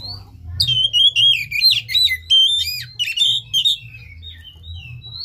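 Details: Oriental magpie-robin song, played as a lure to stir a lazy, silent caged bird lacking breeding condition into singing; loud, rich whistled phrases with rapid up-and-down slurred notes and sharp clicks, delivered in quick bursts over a low background hum.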